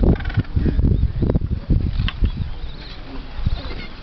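Gentoo penguins give harsh, honking brays in quick pulsing bursts, over heavy low rumbling that may be wind.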